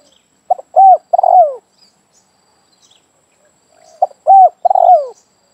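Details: Spotted dove calling in a yard, with its voice used to lure other doves. Two coo phrases about three seconds apart, each with short clipped notes and then a longer, rolling, falling coo. Otherwise quiet.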